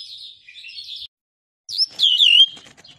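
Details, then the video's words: European goldfinch singing touala notes: a thin, wavering high twitter, a second of silence, then a sharp rising note followed by a loud, slurred, descending warble. "طائر الولوال يبدع بتغريد نوتات ديال التولاع"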